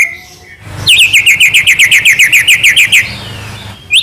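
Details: Medan white-rumped shama in strong song, used as a lure to get captive birds singing: a brisk, regular series of about fifteen bright, slurred whistles over roughly two seconds, after a quiet start.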